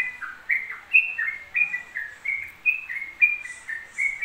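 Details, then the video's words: A yellow-vented bulbul sings without a break, throwing out short bubbling phrases that jump between higher and lower whistled notes, about two per second, with a few faint high notes behind. "TRUCUK ROPEL 2 MENIT TANPA JEDA"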